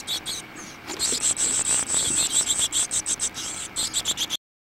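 Carolina chickadee nestlings give very high, thin, hissing begging notes in quick pulses, speeding into rapid bursts several times a second toward the end.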